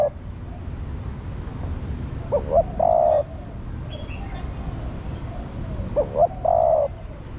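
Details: Female spotted dove calling to stimulate the male, a caged bird played to rouse male doves: two phrases about four seconds apart, each two short rising coos then a longer steady hooting coo, over low background hiss.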